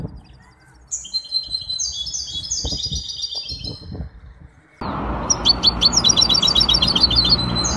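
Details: Competition singing by a hybrid goldfinch, Ain Chock bird association, Casablanca, 23 May 2021: high, sweet twittering phrases with rolling trills, then a steady background rush of noise under continued rapid chirps.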